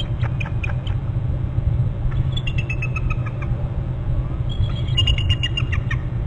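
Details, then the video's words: Bald eagles at a nest on Hornby Island, giving high, thin, rapid chattering trills in two bursts of repeated squeaky notes, over steady low wind rumble. "2 9 800 hearing trills; 801 more trills and both into the nest"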